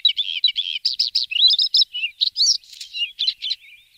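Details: Dense Bluethroat song of fast, varied chirps, twangy slurred notes and buzzy fragments following one another without pause.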